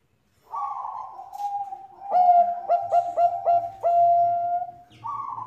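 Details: Female Bangkok zebra dove calling the male, its song used to lure other doves into singing: a breathy opening slide, then a strong stuttering coo of five or six quick pulses and a sustained closing note, with a faint low hum.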